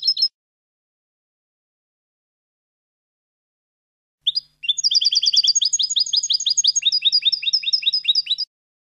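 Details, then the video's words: European goldfinch singing, recorded as a tutor for young goldfinches: a brief chirp, a long pause, then a dense run of rapid tinkling, twittering notes about four seconds long, slightly lower and more rolling toward the end. "chants des chardonnerets du monde (9) goldfinch songs"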